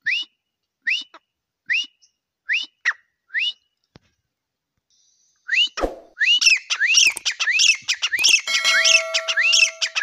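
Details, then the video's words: Grey francolin (teetar) calling: a series of sharp, rising whistled notes spaced under a second apart, then from six seconds a dense, overlapping run of loud rising calls over a steady tonal hum. "Teetar awaz | teetar sounds"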